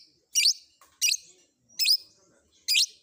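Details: Long-tailed shrike fill-in sounds said to make other shrikes respond: four loud, harsh, buzzy high notes spaced under a second apart.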